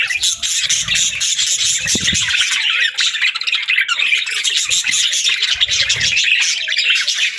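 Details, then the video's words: Loud, continuous budgerigar chattering, a packed mix of high warbles, chirps and short squawks with a few soft thumps. "Budgie Chirps & Sounds"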